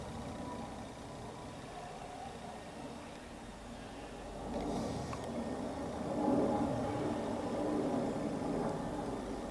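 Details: Quiet indoor background rumble with faint mechanical sounds that grow slightly louder, and no clear animal voice.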